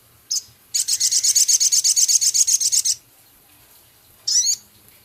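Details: A male Javan cochoa in vigorous song, with scarlet minivet phrases and coarse chatter. A sharp note leads into a long, fast, buzzy high rattle of about eighteen pulses lasting two seconds, then a brief descending trill.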